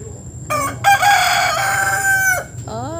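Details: Crowing from a single remaining rooster on a roof: a brief opening note, then a long, loud, raspy drawn-out call ending in a falling tail, and a rising shorter call afterward.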